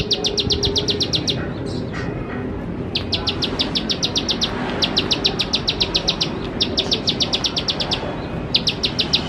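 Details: Bar-winged prinia song used to coax young birds into learning to sing, rapid high ticking notes in runs of a second or two broken by short pauses, over constant low-pitched background noise.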